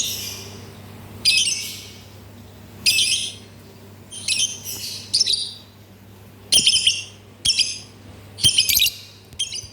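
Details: Lovebird giving short bursts of harsh, squawky chirping, several separate bursts with brief pauses between them.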